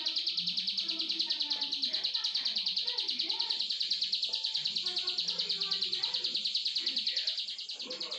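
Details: Plain prinia in full song, giving one unbroken run of fast, buzzy, rhythmic pulses lasting about eight seconds, over faint low background sounds.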